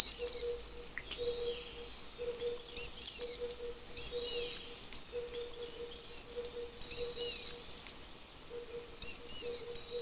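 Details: Taiwan fulvetta, a Taiwanese endemic bird of mountain forests, sings high thin phrases at irregular intervals: a quick note followed by falling whistled slurs. Faint extra notes and a steady low hum run through.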